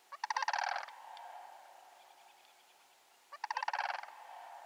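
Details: Two bursts of loud, rolling bugled rattles from sandhill cranes by the road to Canoe Creek, BC, each under a second long and about three seconds apart, with a steady background hum between them.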